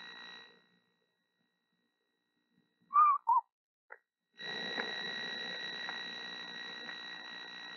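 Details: Female screech owl incubating her eggs in late March, singing softly to the unhatched owlets. Two short wavering whistled notes in quick succession, then a faint blip, over a steady electrical hum.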